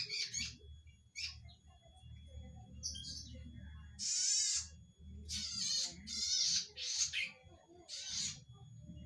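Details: Loud-voiced red-headed zitting cisticola giving scattered high chips, then longer harsh buzzy bursts with rasping texture, separated by short gaps, against a steady low rumble in the background.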